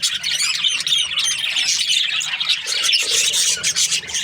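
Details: Budgerigars, breeding pairs, chirping together in a dense, continuous chorus of high, scratchy warbles and squawks with no pauses; a faint low hum sits underneath.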